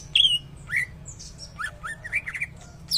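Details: Greater green leafbird imitating a shama, giving bright whistled swoops, rising and falling slurs and scratchy notes in a rapid varied phrase against a low steady hum.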